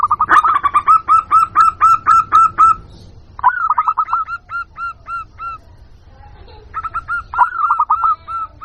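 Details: Local zebra dove calling, used as a lure to draw in wild birds: runs of quick, rolling coo notes repeated in three bursts, with short pauses between them.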